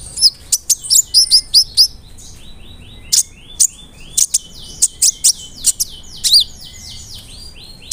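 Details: Brown-throated sunbird singing as a lure meant to make other sunbirds more aggressive: rapid runs of sharp, very high chirps and ticking notes, broken by short pauses, with thin descending whistles layered behind throughout.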